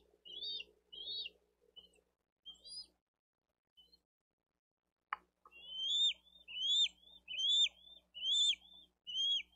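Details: Little bald eagle chick calling for food while the mother feeds its older sibling on fish at a Dade County nest cam, 13 April 2023. Rapid high upslurred notes, a pause, then about six sharp rising-falling whistles roughly every half second.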